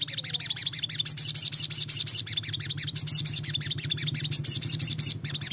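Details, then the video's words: Sogon, a sunbird, in a lure recording played to get young wild-caught birds singing often: fast high twittering made of repeated looping chirps, many per second, running without pause, with a low steady hum underneath. "Pancingan ampuh sogon bahan agar rajin bunyi"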